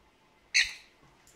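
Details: A cockatiel wandering around indoors gives a single harsh, screechy chirp in an otherwise quiet room.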